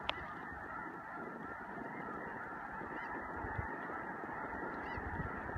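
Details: Snow geese on spring migration near Choteau, Montana, March 18–19, 2015: a dense, unbroken roar of many geese honking together, with high nasal barks blending into a constant wall of sound.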